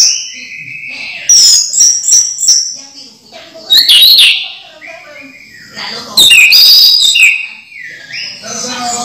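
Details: Orange-headed thrush in captivity pours out a rich, varied song of clear whistles interspersed with quick sharp staccato notes and short quiet gaps. The song is played to coax other thrushes into singing.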